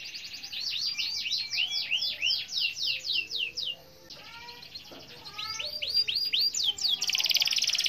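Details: Canary in full song with a long roll, calling a rival: repeated high, slurred rising-and-falling notes delivered quickly for about four seconds, a short pause, then more sweeping phrases ending in a bright, buzzy high note.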